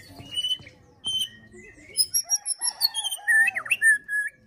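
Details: White-rumped shama fighter song, used to stir other shamas into full song: a couple of short whistles, then a quick run of varied high twittering notes and warbles, each note distinct.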